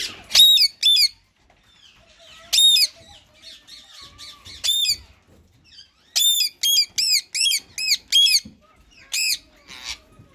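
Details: Rose-ringed parakeets, a white ringneck male with a green bird, in talking mode; loud, shrill squawks come singly and in quick series, with quiet gaps and softer chattering between bursts.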